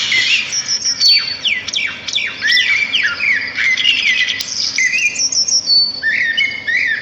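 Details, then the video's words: Sparrows singing in nature, loud whistled notes sliding downward in quick series, mixed with rising slurs and scratchy chatter, several birds overlapping. "صوت العصافير في الطبيعة"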